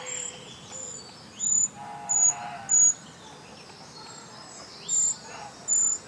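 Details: Eurasian treecreeper giving very high, thin, sibilant call notes, each a short level tone, repeated at irregular intervals of roughly a second, with faint lower bird sounds and a soft background hiss.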